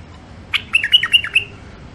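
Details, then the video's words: Caged songbird, wild-caught near the Mandali border crossing in Iraq, gives a crisp opening note followed by a quick rolling series of clear rising-and-falling whistles, about five in under a second. "تغريد مخاليف وحشيه كاع منفذ مندلي طيور نظيفه وصوت صافي"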